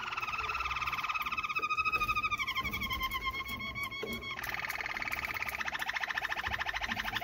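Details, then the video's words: A Malinois Waterslager canary pours out a continuous, rolling, water-like song of fast trills, shifting to a new tour every couple of seconds, with nothing else heard; the recording is offered as a training song. "chant canar malinoi"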